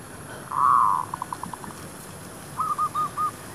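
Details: Zebra dove near shops, decoy luring wild doves: a loud rolling trill, then a run of rapid staccato notes, followed by four slower, evenly spaced whistled notes.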